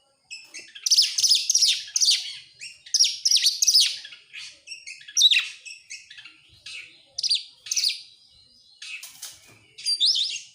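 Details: Oriental magpie-robin in full song, used to encourage other birds to sing: long series of bright, sharp whistles and rasping notes in clustered bursts, pausing briefly before resuming.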